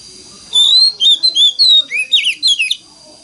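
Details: Wild forest-style song of an Oriental magpie-robin, a standard lure to make other magpie-robins sing along: a fast run of clear whistles and warbled slurs, several rising, ending in tumbling twisted notes, with a faint constant whine.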